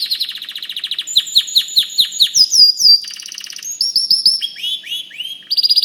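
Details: Song of a white canary: rapid repeated high chirps, then sweeping rising whistles and shifting trilled phrases, loud and continuous.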